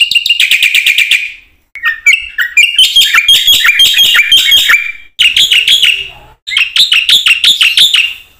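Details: A black-winged myna sings a long 'gacor full isian' lure song meant for training other mynas. Rapid bursts of piercing, chattering whistles rise and fall, separated by short gaps, with a varied middle phrase.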